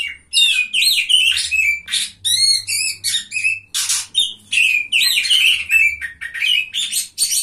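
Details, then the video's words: At a singing contest, a third-place Oriental magpie-robin delivers rapid, varied phrases of sharp whistles and harsh, scratchy notes, bursts coming about twice a second over a low background drone. "KACER GACOR JUARA 3"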